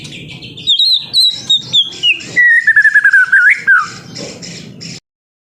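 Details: Juvenile white-rumped shama, used as a prompt to get other birds singing. It delivers a long, sweet, descending warbled whistle, broken by short, sharp chips and clicks, before stopping abruptly.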